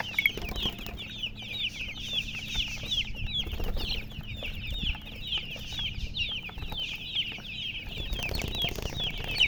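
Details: Baby chicks produce a loud, unbroken stream of high, falling peeps from many birds at once, with occasional louder bursts and faint low hum behind.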